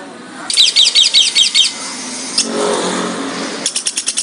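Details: Lovebird calls used to provoke other lovebirds into calling and ngekek trilling, and to train them as fighters. Rapid bursts of harsh, high chattering notes, a pause with a low droning hum, then another quick rattling series of sharp chirps.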